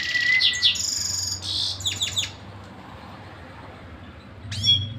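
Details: Canary singing continuously: high, clear whistled notes and quick buzzy trills pour out over the first two seconds, then a pause before one final sweeping phrase, over a low steady hum.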